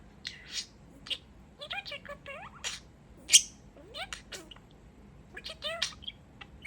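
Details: Male pet budgerigar chatting during a dance session, giving quick rising and falling warbled notes mixed with sharp high clicks and brief squeaks in an uneven, busy stream.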